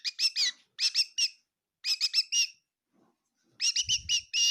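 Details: A bird indoors in a kitchen in Tseminyu, Kohima, gives short bright chirps in quick clusters of two to four, each note with a stacked harmonic ring, separated by brief pauses; a faint low thump near the end.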